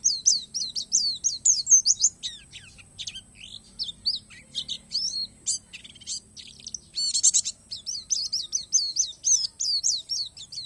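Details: Oriental white-eye of the palas Borneo type, singing a natural-filled (isian alam) song: rapid, high, sweet chirping and twittering in quick bursts with short pauses, a dense run of notes near seven seconds, and a faint steady high tone behind it.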